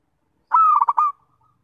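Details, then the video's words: Zebra dove (perkutut) giving a melodious song phrase: a long smooth cooing note followed by three or four quick rolling, bubbling notes, the whole phrase lasting just over half a second, in an otherwise quiet setting. "Perkutut Suara Merdu bikin terpikt"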